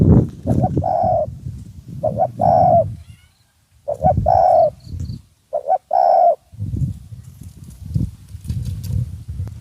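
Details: Decoy Spotted Dove used to lure wild doves, calling as a wild dove approaches; deep, hollow cooing phrases in four bursts with short gaps, a man talking excitedly at the start and end, low rumbling background noise.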